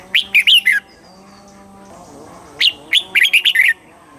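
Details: Thai cage red-whiskered bulbul in the southern master song style, used to excite birds and tutor young; two lively phrases of rapid warbling chirps separated by about two seconds of quiet.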